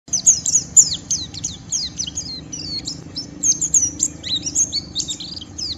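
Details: White-eye giving a rough ngeriwik song that provokes rival white-eyes to join in singing: dense, rapid, high-pitched twittering of short sharp chirps and downslurred notes, nearly continuous, over a low steady background hum.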